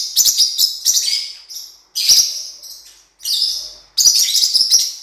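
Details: Blue-winged parrotlet, or cuiubinha, singing: bursts of high, scratchy chirps and squeaky twitters, each lasting about a second and separated by brief pauses.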